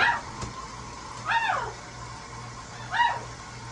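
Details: Huge blue parrot in a sink bath gives two arched, nasal calls about two seconds apart that rise then fall, over a constant low electrical hum.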